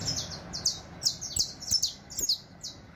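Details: Saffron Finch teaching song: a dense, lively string of high, sliding whistled notes in clusters, about three bursts each second.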